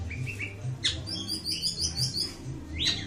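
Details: Ashy tailorbird singing a quick run of bright, high chirps, with short downward-swept notes at the start and end, over a low background hum broken by regular soft thuds.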